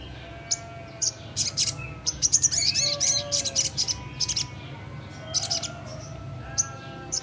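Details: Full ngleper singing from a young sogon: loud clusters of sharp high ticking chirps in quick bursts with short pauses, against a faint steady background hum.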